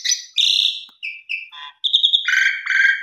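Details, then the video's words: Asian pied starling singing its lure song: a loud whistle and harsh buzzy note, two short mid-pitched whistles, a rattling burst, then sustained harsh squawks. "Pancingan Suara Jalak Suren MATERI KUMPLIT Full Isian Mompa + Gacor Burung Lain Ikut Terpancing"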